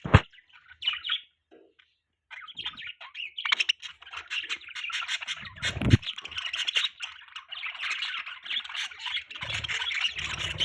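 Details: Budgies chirping as pets: a dense, continuous warbling chatter of several birds, scratchy squawks and high chirps overlapping, growing busier toward the end, with a few low bumps and thuds.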